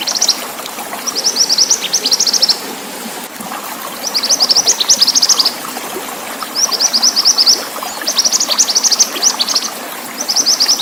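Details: Pied bushchat (mantenan) song in a lively training recording mixed with running water: short bursts of high, scratchy twittering phrases, each about a second long, repeated every two seconds or so over a steady trickling water background.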